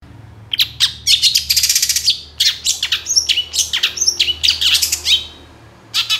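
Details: Long-tailed shrike in full, energetic song, played to lure other shrikes into singing: a dense, rapid run of varied high chirps, trills and sharp notes packed together with brief pauses, with a faint low hum underneath.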